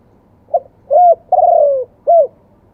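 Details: One phrase of spotted dove song in the wild-voice, two-kuk style: a faint lead note, a hooked coo, a long trilled coo falling in pitch, and a final clear coo.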